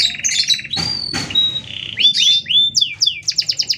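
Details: Canary in full, fast song with tight pauses, used as a master tutor or to provoke other canaries: trills and buzzy phrases, a sustained whistle, then quick rising-falling slurred notes ending in a rapid repeated trill.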